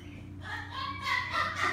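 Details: A male white-bellied caique about one month old, still hand-fed, gives a few nasal, voice-like calls that rise and fall over a steady low indoor hum.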